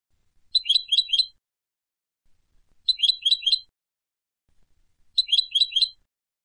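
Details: Turkish goldfinch in Istanbul, Turkey, giving short high bursts of four quick twittering notes, repeated about every two and a half seconds with quiet gaps between.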